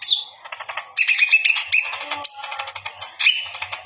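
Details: Energetic common iora song, recorded as a master for teaching other birds, with the singer flaring into display: dense scratchy chatter mixed with short whistles and quick descending slurs, almost without pause.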